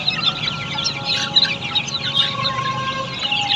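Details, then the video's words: Australorp chicks housed on a poultry farm, a quieter, busy mix of high peeps with steady low hum and rumble underneath. "Australorp Chicks"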